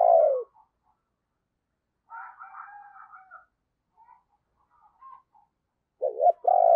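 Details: Spotted dove decoy bird with a deep 'thunder' voice, used to lure wild birds: a long low falling coo, then a buzzy harsher bird call from another source. The clip ends with the dove's short rolling notes leading into another low coo.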